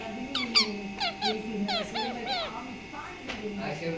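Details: Pet green parrot with blue eyes, described as angry, kept indoors; a run of short squeaky descending syllables like imitated words, repeated quickly, over a steady low room hum.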